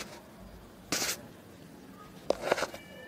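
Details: Two Maritaca parrot chicks found under a house roof, still tended by their mother and starting to grow feathers, give a harsh hissing rasp, then quick grating bursts; a voice and faint music are also heard.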